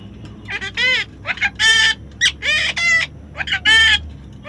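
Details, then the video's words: Baby parrot giving a run of harsh, buzzy squawks of uneven length, some short and clipped, others longer and rasping, about one every second or two, with faint low background hum. "natural funny parrot sound"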